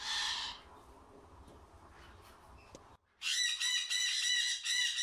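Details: Young unrelated pair of white-bellied caiques, the hen from last season and the male from the season before, about 12 months old. Harsh, harmonic screeches: a short burst at the start, then a quiet gap and a sustained two-second screech.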